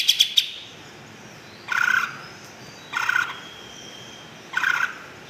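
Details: Greater green leafbird giving a brief high trill of three sharp notes, followed by three harsh, rasping buzzy bursts spaced about a second apart, with a faint thin whistle between them.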